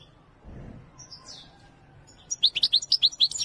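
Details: European goldfinch of the Wedani song style: after a faint soft opening, a rapid run of bright, high twittering notes starts and repeats several times per second to the end.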